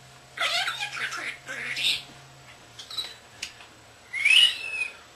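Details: Young pet common starling indoors mimicking speech, whistles and camera sounds: a warbling, speech-like phrase, a few clicks and short notes, then a rising, scratchy burst at the end.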